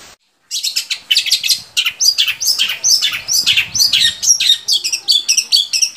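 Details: Long-tailed shrike song used to stimulate captive shrikes to sing: a rapid, varied run of harsh chattering notes and high downslurred whistles, about two per second, loud and continuous after a brief silence.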